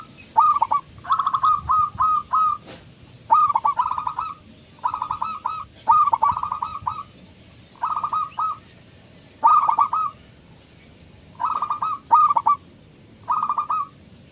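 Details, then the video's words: Loud local zebra dove singing as a lure to stir silent or stressed doves into song; short rippling phrases of fast cooing notes repeated roughly every one and a half seconds against quiet background hiss. "perkutut lokal gacor suara besar pancingan super ampuh 100 % di jamin ikut manggung"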